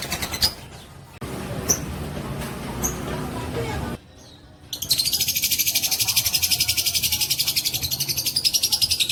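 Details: Lovebird of fighter type, long ngekek trill used as a provoking call: after a few scattered chirps and a short silence, a steady rattling chatter of quick high pulses begins and keeps going.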